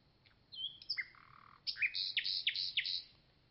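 Common nightingale singing: a high pure whistle and a low buzzy churr, then a rapid burst of repeated sharp, bright notes against a quiet background.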